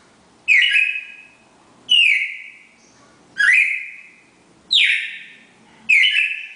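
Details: Red-crested cardinal pair, classic Bagé song of four notes: five loud, clear whistled phrases, each a sharp downward sweep with a trailing tone, repeated roughly every one and a quarter seconds.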